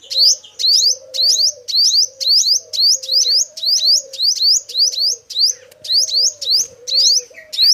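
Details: Male sunbird song, recorded in 2022 for use as a trapping lure: high, thin, sharply rising notes in quick pairs, repeated about twice a second. A lower, steady cooing tone runs underneath.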